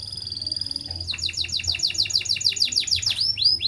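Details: Canary in breeding condition singing a long rolling song: a steady high trill breaks into a fast run of repeated downward-sweeping whistled notes, about three per second, ending in rising arched notes.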